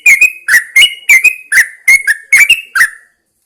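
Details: Yellow-vented Bulbul, a caged bird set outside at dawn to encourage song, gives a lively chattering series of bright, slurred double notes, each starting with a sharp click, about three per second, ending after three seconds.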